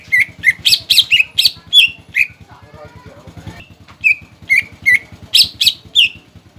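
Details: Captive greater green leafbird singing as a lure to provoke young and fledgling birds into song: bursts of sharp, slurred whistled notes sliding around high pitch, a brief pause midway, over a steady low rhythmic mechanical hum.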